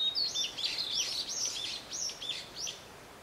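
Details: Narcissus flycatcher at Matsunoyama Onsen, Japan, delivering a loud, rapid stream of rich, fluty whistles and looping slurred notes, about a dozen in three seconds, slightly echoing and fading toward the end.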